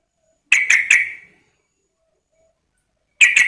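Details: Female yellow-vented bulbul calling to a male: a quick run of three harsh, chirpy notes, a pause of about two seconds, then two more clipped notes at the end. Quiet background.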